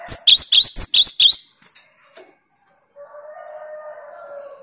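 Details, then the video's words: Cinereous tit giving a 'tembakan' burst meant to unsettle rival birds: about six loud, sharp, descending chirps in rapid series over just over a second, then silence and a low steady hum. "Tembakan burung Gelatik Batu paling joss melatih mental lawan"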